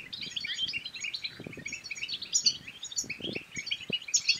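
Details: European goldfinch singing a lively chattering song meant to excite males into song and females into mating; tinkling high notes tumble in fast bursts, with a few soft low knocks.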